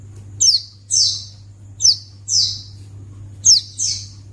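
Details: White-eye calling to draw a response from other white-eyes: paired, high downslurred chirps repeated three times with gaps of about a second, the second note of each pair longer and buzzier. A steady low hum continues throughout.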